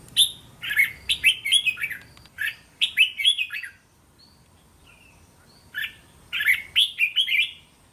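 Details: Red-whiskered bulbul singing tor-style song of three-to-five-syllable phrases for young birds to answer: two long runs of rapid bubbly whistles, then near silence with faint distant notes, then a third similar run.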